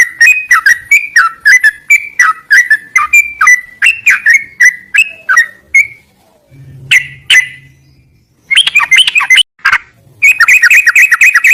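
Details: Yellow-vented bulbul sings a steady string of clear whistled notes, each dipping then rising, about two per second, then pauses before a few louder, harsher chirps and a final fast burst.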